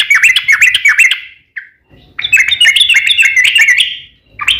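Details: Yellow-vented bulbul (trucukan) in lively gacor form, a long rolling 'ropel panjang' song used to provoke other bulbuls into answering. Rapid bubbly, liquid chattering phrases of short warbled notes, a brief pause near the middle, then another burst of chatter.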